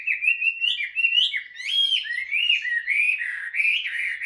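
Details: Caged, hand-tamed Chinese hwamei warming up its voice with a flowing series of clear whistles that rise and fall, including a brief rapid trill near the middle.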